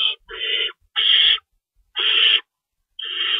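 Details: Night feeding at an owl nest, March 25, 2012, while an adult shreds rabbit; four loud harsh screeches, each roughly half a second, separated by short gaps and faint low bumps.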